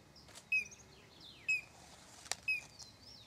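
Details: A collared crescentchest gives sharp, high, slightly down-slurred notes about once a second, with faint thin calls of other birds behind. Recorded in São Desidério, Bahia, northeast Brazil, in December 2012.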